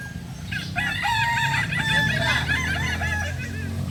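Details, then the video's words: Kokok Balenggek roosters, the native chicken of Solok in West Sumatra, at a joint crowing practice. A long stepped crow of many short rising and falling notes rolls on without pause, with other crowing overlapping and a low hum beneath. "Latberan ayam kukuak balenggek.. ayam asli solok sumatera barat"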